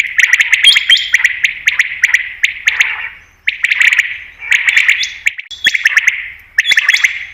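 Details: Batair, the common quail, calling for hunters: dense runs of sharp staccato notes in rapid clusters, echoing strongly, broken by short silences, with occasional higher thin whistles.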